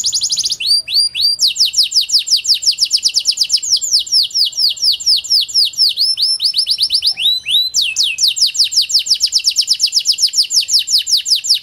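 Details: Pied 'panda' canary song meant to spur silent canaries into singing: long rapid trills of sharp down-slurred chirps, a brief pause near seven seconds, then another rapid rolling trill, all high and continuous.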